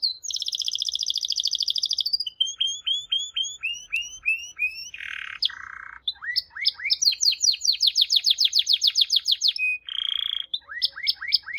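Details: Long canary song passage: a high buzzy trill, a row of sharp downslurred chips, harsh nasal bursts, rising sweeps, a rapid rolling trill, and more nasal buzzes and upward slurs.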